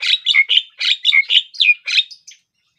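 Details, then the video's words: Javan myna, a black bird with a yellow bill that eats insects and fruit, giving a fast run of harsh, chattering notes, each a short burst with a downward-sliding whistle tail, about nine in two and a half seconds. "Suara Burung Jalak Kerbau / Kebo....Belajar Gacor..."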